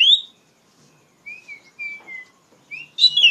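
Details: Oriental magpie-robin, used as a lure to train young magpie-robins. Short, clear whistles: a bright opening note, then a few thin, level tones and a final sharp rising burst.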